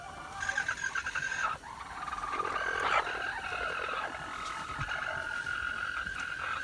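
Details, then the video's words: Red junglefowl, six months old, recorded 13 March 2019, gives a harsh harmonic crow lasting about a second, then a fainter drawn-out call follows amid steady background noise. "Qaib qus zoo nkauj qua zoo"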